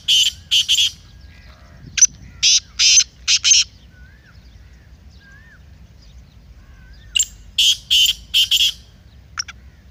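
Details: Kala teetar, or black francolin, calling loudly. The recording is meant to stir a caged francolin into chakri. Two bursts of harsh, clipped notes about five seconds apart, with soft distant whistles from other birds between them.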